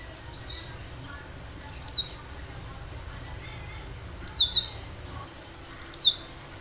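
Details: Wild cinereous tit singing freely as a lure for other birds: three phrases of high, sharp chipping notes, each three or four notes fast, spaced about two seconds apart, over low background rumble.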